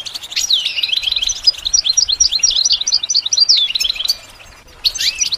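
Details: Goldfinch singing as a model for song training: a rapid, tinkling stream of high twittered notes and brief trills. It breaks off near the end, then resumes with a couple of sharp notes.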